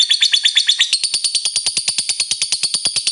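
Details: Ngekek panjang, the long chatter of a lovebird, used as a lure to make lovebirds sing often. Rapid, sharp, high pulses repeat steadily, several each second, with a shift to a slightly different note partway through.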